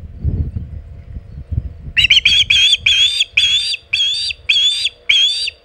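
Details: Osprey at Hog Island nest, 27 August 2019, mid-afternoon, with a shad: after a quiet start with low thumps, eight clear, evenly spaced whistled chirps ring out, each short and slightly rising.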